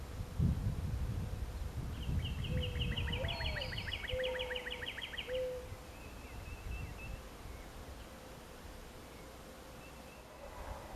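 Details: Mourning Dove territorial/courting song, local variant with two notes at the end: a low soft coo sliding up, then flat mellow hoots, partly masked by a louder rapid buzzy trill from another bird and some low rumble.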